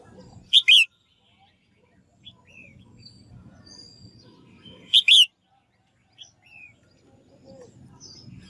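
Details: Female bird calling to stimulate male song: two loud, brief double-noted whistles roughly four seconds apart, each a short high note then a warbling lower one, with faint high chirps and steady low background hum.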